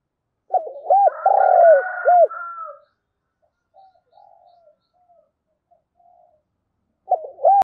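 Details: Morning decoy spotted dove cooing to draw wild doves: one full low phrase of short hoots around a long rounded note, with a faint high whistle over it, then soft quiet notes and a new phrase starting near the end.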